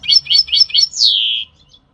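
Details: Singing European goldfinch giving four rapid tinkling notes, then a sustained, falling, slightly buzzy note lasting about half a second; otherwise clean.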